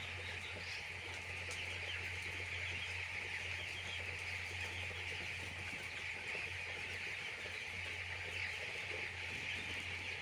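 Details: Many chicks on a poultry farm: a dense, unbroken chorus of high peeping that blurs into a continuous shrill wash throughout, over a steady low mechanical hum.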